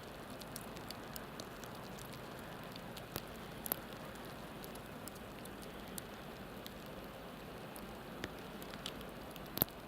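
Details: Steady rain pattering on a surface with scattered sharp drips and clicks; no animal voice.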